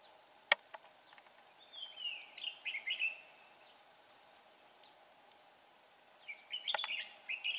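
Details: Food-carrying male red-whiskered bulbul keeps singing in its 'bell voice' style: rolling, slurred whistled phrases in two clusters, with a sharp click near the start and a steady buzzing insect chorus throughout.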